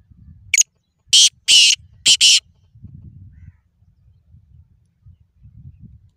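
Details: Black francolin, locally called kala or mushki tetar, offered as a sound for keepers whose francolins do not call: a short sharp note, then three loud harsh grating notes within about two seconds, over a low background rumble.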